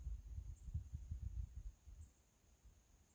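Ruffed grouse drumming: deep, muffled thumps that quicken into a soft roll over about two seconds, then fade into quiet background hiss.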